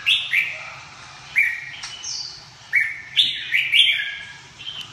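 A red-whiskered bulbul gives short, bright whistled phrases, about four bursts over five seconds, each with quick rising and falling notes.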